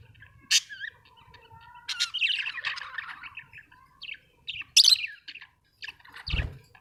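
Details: Budgerigar chirping: scattered sharp chirps and a stretch of soft warbled chatter, then more loud squeaky notes, with a low thump near the end.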